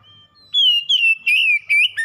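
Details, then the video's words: Oriental magpie-robin kept as a pet gives a smooth, sustained whistle that wavers slightly, then breaks into a few quick slurred notes. "KACER PELIHARAAN MACET BUNYI LANGSUNG ON GACOR SEKALI PANCING"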